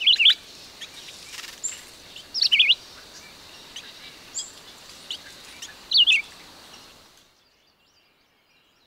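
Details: Red-eyed vireo singing: short slurred whistled phrases, each a quick up-and-down squiggle, given singly with long pauses of about two to three seconds between them, over a faint hiss of background noise.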